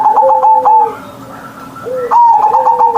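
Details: Captive zebra dove giving its morning manggung song in a big voice. Two loud rolling coo phrases, each with a lower sliding undertone, are separated by a quiet second.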